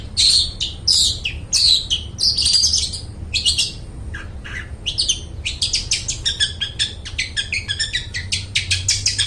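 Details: Loud, clear long-tailed shrike song for training mute shrikes to sing: harsh, warbling scratchy phrases at first, then a fast rattling run of clipped chattering notes in close succession.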